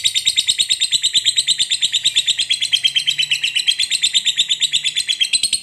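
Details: Lovebird in long 'ngekek panjang' chatter, used to provoke a quiet lovebird into singing: loud, rapid, buzzing high pulses about three per second, delivered as one unbroken stream with slight pitch wavering.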